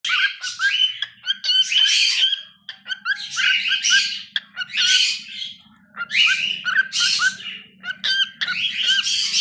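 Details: Pet cockatiel singing: bursts of harsh, raspy chatter mixed with short whistled chirps, delivered in phrases of about one to two seconds separated by brief pauses, with a faint low hum underneath.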